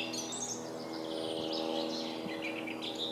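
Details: Song thrush singing: high, varied chirping phrases in quick succession over a steady low mechanical hum.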